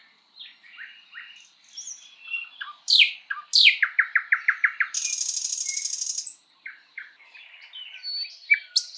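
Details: Spring woodland song of a thrush nightingale: quiet scattered chirps rise to loud descending whips, a fast series of ringing repeated notes, a long grating rattle, then softer twitters.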